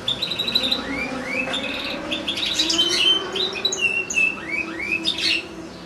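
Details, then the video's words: European goldfinch kept caged with a second goldfinch and two little goldfinch-canary hybrids, performing a lengthy song: rising slurred whistles and liquid twitters, then a burst of buzzy rattling trills and more upslurred notes, with faint background murmur. "ΚΕΛΑΗΔΉΜΑΤΑ ΑΠΌ καρδερίνες & καρδερινοκάναρα"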